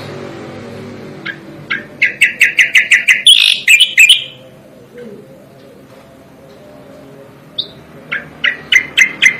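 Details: Striated grassbird song recorded for training songbirds: a run of sharp, evenly spaced chipping notes that speeds into a bright, slurred warble, a pause, then the clipped chips resume and accelerate.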